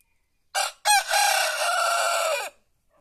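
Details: Crowing of a white rooster out in the countryside: a clipped first syllable, a short pause, then a long, loud, rich-toned cock-a-doodle-doo held level before trailing off downward, with near silence around it.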